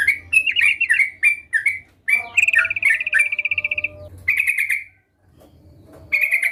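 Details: Sooty-headed bulbul singing actively: bright chirped notes near two to three kilohertz, a fast buzzy trilled run, a steady rattling series, then a pause before loud chirps resume, with a faint low hum beneath.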